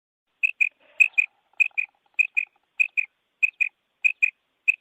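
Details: Female quail (batair) calling: crisp, high-pitched paired notes, each pair a quick double 'pit-pit', repeated steadily about every 0.6 seconds, eight pairs in all, with faint soft chatter early on and an otherwise quiet background.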